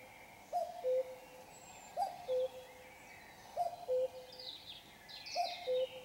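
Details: A common cuckoo sings at 5 a.m. on a Sunday while it is still dark, giving its two-note falling 'cu-coo' four times about every one and a half seconds, with faint songs of other birds behind.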